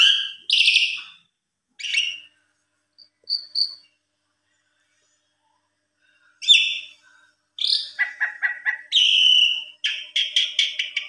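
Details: Asian pied starling answering a rival: scattered whistles and chirps with long pauses early on, then a fast series of repeated clipped notes building into rhythmic chatter near the end.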